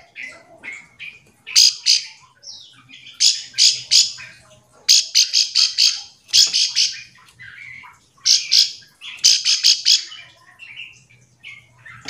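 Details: Bar-winged prinia call used to stimulate other prinias to sing in reply; rapid series of sharp, high clicking notes in bursts of four to six, separated by softer twittering, with faint low hum underneath.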